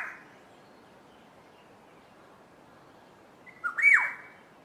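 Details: Black-headed oriole duet between two birds: after a long quiet gap, one brief fluty whistled phrase that slides down at the end.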